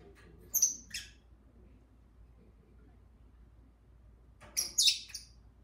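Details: Two lovebirds kept as pets singing along with a person: a pair of piercing chirps early on, a pause of quiet murmur, then a louder cluster of squeaky chirps.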